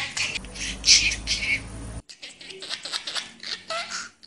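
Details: A talking budgerigar chatters in a thin, scratchy, high-pitched stream of speech-like warbles and clicks, with an abrupt cut partway through.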